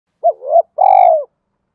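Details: Spotted dove cooing in the urging and calling styles, used to train newly caught and decoy doves to coo: a short hooting note swelling upward, brief pause, then one long, steady, mellow coo, with no other sounds.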